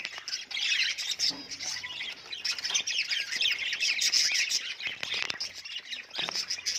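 Budgerigars chatter continuously with busy, high-pitched chirps, warbles and squawks.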